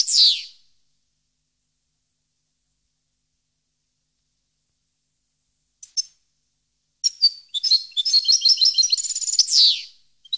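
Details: Long silent stretch with a brief slurred note at the start and a faint tick, then a goldfinch bursts into a rapid twittering phrase ending in a descending buzz.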